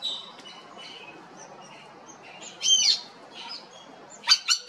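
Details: A spur-winged lapwing chick at the Los Angeles Zoo on 21 March 2021, ducking for cover, gives sharp, high metallic notes: a harsh burst, then three quick clipped calls close together, over a quiet background.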